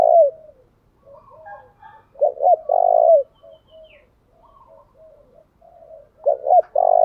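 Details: Spotted dove decoy calling to draw in wild doves, cooing in the 'thúc gù' style and varying its pattern continuously. Loud phrases open, recur near two seconds and again near six, each a doubled note and a long coo, with faint coos between.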